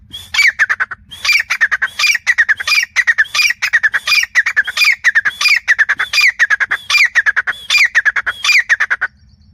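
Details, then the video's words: Grey francolin (teetar) calling persistently: about eight harsh, ringing phrases in close succession, each a rising squeal followed by rapid scratchy repeated notes, the rhythm steady and insistent throughout. "grey Francolin calling"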